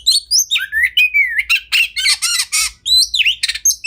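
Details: Champion kacer (Oriental magpie-robin) tutor song with 'tembakan' fill: long sliding whistles, harsh raspy chatters repeated several times, then swooping dipped notes and a thin high whistle.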